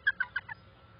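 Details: Bald eagle at a nest during an early-morning visit on 4 November 2020: a quick series of four high, thin chittering notes over about half a second, fading toward the end, with low background hum.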